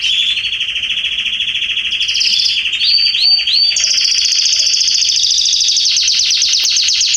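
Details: Canary singing in a garden in September 2020: a rolling trill, then looping upslurred notes, then a long bright buzzy trill.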